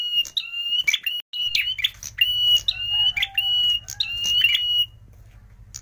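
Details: Prinia call used as a lure for catching birds; loud, sharp, piercing whistled notes of even pitch, repeated in quick bursts with clicky accents, over a low electrical hum.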